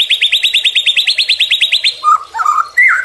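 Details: White-rumped shama (murai batu) in a tutor and lure recording: an even trill of bright repeated notes for two seconds, then a few lower, warbled whistled phrases.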